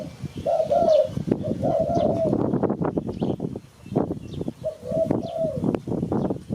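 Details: Spotted dove cooing, a recording used to lure birds for catching: mellow low coos in short phrases separated by pauses, partly masked by loud rattling and knocking noises beneath.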